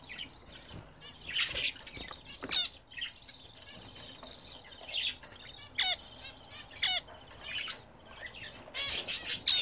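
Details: Home-kept budgerigars bathing for the first time in a newly attached bath: soft warbling chatter broken by sharp, descending harmonic chirps, ending in a dense noisy burst of squawks and twitters.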